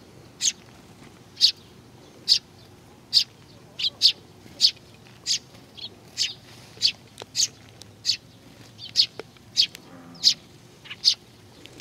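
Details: Sparrows coming to be fed at Tenmangu shrine, Nakanoshima, on 21 June 2020: sharp, high chirps repeated steadily about once a second across the whole stretch, with faint low background rumble.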